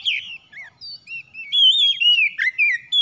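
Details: Oriental magpie-robin producing a continuous stream of whistled notes, some short and slurred, others long and level, loud and clear throughout.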